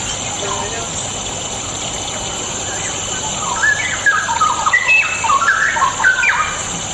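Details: Straw-headed bulbul song used to provoke lazy birds into singing: after a quiet start, a burst of rich, rapidly stepping warbled notes fills the second half, with steady high hiss throughout.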